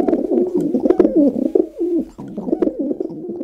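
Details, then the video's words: Rock pigeons (domestic pigeon) in Brazil give low, throaty cooing in rolling, overlapping phrases, a continuous burbling murmur with no other clear sounds. "Canto do pombo-doméstico"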